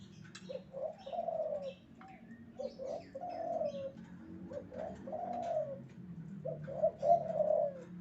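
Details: Spotted dove male in breeding condition repeating soft, hollow coo phrases: quick short notes followed by a drawn-out note, about four phrases. Faint chirps of other birds and low rumbling noise sit behind it.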